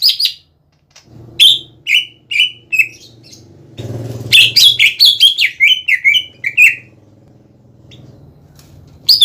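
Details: Greater green leafbird in energetic gacor song, played to trigger replies from young or untrained leafbirds: scattered sharp whistles, then a rapid tumbling run of chattering, slurred notes, with a low rumble and hum behind.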